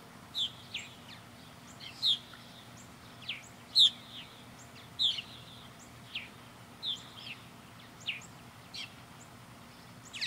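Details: Purple martins orbiting a backyard birdhouse under a blue sky give sharp single chirps, roughly one every second or two, with softer notes between them and a faint low hum.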